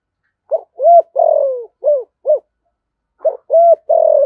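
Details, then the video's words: Spotted dove, 'giọng thổ' voice, 'thúc gù' cooing: one five-note phrase of low hollow coos with a long falling centre note, then after a short pause the next phrase starts and carries on. "Tiếng chim cu gáy giọng thổ thúc gù"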